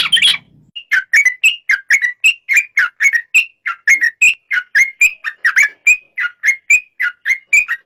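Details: Yellow-vented bulbul song: a steady series of short, clear whistled notes repeated about every third of a second, each slightly bending in pitch, after a brief noisy opening burst.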